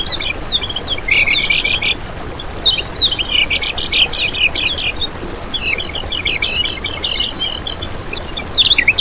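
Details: Yellow-vented bulbul song used as a lure for other bulbuls: bursts of bright, bubbling, chattering warbles in three phrases separated by short pauses, over a steady hiss of background noise.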